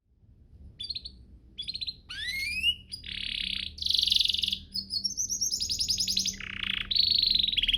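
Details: Canary master song for training canaries: varied phrases of high whistles, rising sweeps, buzzy trills and rapid rattling rolls, with short pauses early on and continuous singing later.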